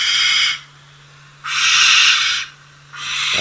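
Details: Barn owl (Tyto alba) screech: long, harsh, hissing screeches, each about a second long, repeated three times with short gaps, over a faint low hum.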